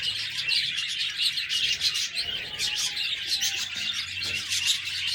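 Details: Budgerigars chirping busily in overlapping high, squeaky bursts and warbles, with a faint drawn-out lower whistle midway and a soft hum beneath.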